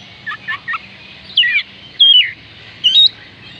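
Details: Oriental magpie-robin song meant to prompt lazy birds to sing: three short chips followed by three louder whistled phrases, sliding and warbling, spaced about half a second apart, with constant background hiss.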